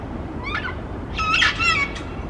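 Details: Sulphur-crested cockatoo on a city street light in Melbourne, making quiet, cute-sounding noises: a short rising note followed by a burst of several wavering, nasal harmonic squawks, with constant urban background rumble.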